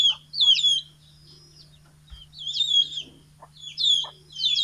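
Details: Chickens big and small let out of their coop for morning feeding in Fulbaria, Mymensingh, October 2018; clusters of shrill falling peeps separated by quiet gaps, faint low hum.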